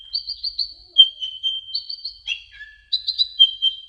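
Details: Brown-throated sunbird singing for a training recording: quick series of bright high notes over a steady piercing whistle, broken by a lower brief trill and ending in sharp chirps.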